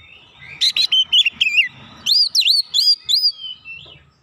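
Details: Oriental magpie-robin lure song meant to draw a stubborn reply, with 'isian' material: two bursts of rapid, loud looping whistles separated by a short gap, ending in a softer trailing note.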